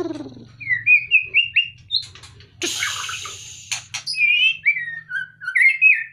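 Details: White-rumped shama, lifted out of its cage, sings evenly spaced whistled notes that step upward, then a harsh hiss and more falling whistles over a low steady hum.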